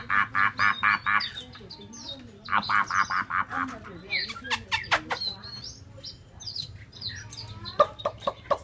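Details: Caged Chinese hwamei in Hanoi, Vietnam, swaying and nodding while singing: a run of six loud, rough, even notes, then a varied stream of sharp whistled slurs and chips with a low background hum.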